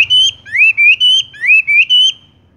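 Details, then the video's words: Clean tung roll phrases from a Horsfield's bush lark (wambie): five or six loud whistles that rise and then level off, run closely together. "wambie tung roll gantung langsung ngerol"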